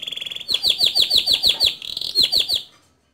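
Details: Male canary, active and rolling, a tutor singer for young canaries: a buzzy trill then a run of clear downswept notes repeated rapidly, fading at the end.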